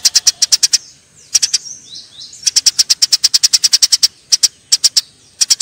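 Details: Eurasian tree sparrows in a fight: rapid strings of piercing high chirps, a short burst at the start, thin sliding squeaks, then a long dense run of chirps and a few closing bursts.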